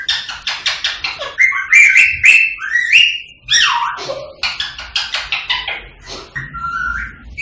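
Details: Indian rose-ringed parakeet, green form, whistling and clicking to prompt singing and mating: rapid clicking chatter, rising then falling slurred whistles, and another string of quick chattering notes.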